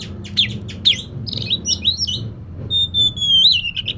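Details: Oriental magpie-robin song meant as a lure for a bird reluctant to sing: sharp slurred chirps and twangy notes, then a long, clear, sustained whistle that wavers near its end, above a low hum.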